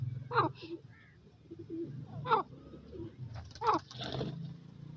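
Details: Francolin (teetar, Dakhni teetar) calling: three loud harsh notes with stacked harmonics, spaced about one and a half seconds apart, over a steady low hum and faint rustling.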